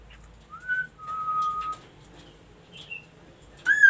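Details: Ashy tailorbird singing: a short rising whistle, then a long steady lower whistle, a faint higher note, and finally a loud, bright, rising harmonic note cut off at the end. Faint background murmur.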